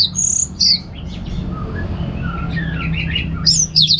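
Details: Orange-headed thrush in relaxed ngeplong song, used as a lure for home birds: a few sharp high whistles at the start, soft warbled notes in the middle, then bright high phrases at the end, over low background hum.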